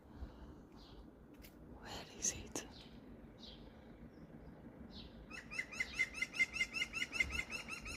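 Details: Green woodpecker calling from a tree somewhere close to people. After about five seconds of laughter and talk, a quick run of ringing, evenly spaced notes sounds out, roughly three per second.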